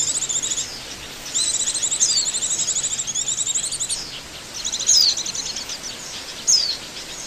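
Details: Lure recording of Oriental white-eye: thin, high chattering trills delivered in runs of about a second, broken by quick downward-slurred whistles repeated several times.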